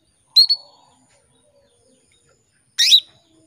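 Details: Female canary calling to a male: a quick doubled chirp with a whistled tail, silence, then a single loud rising chirp about two and a half seconds later.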